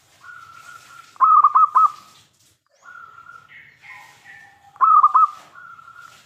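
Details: Local zebra dove in full song with a big voice, used to lure other zebra doves into answering. A steady cooing tone is broken by a loud stuttering burst of four quick notes. After a pause the pattern repeats, with a faint lower cooing bird alongside.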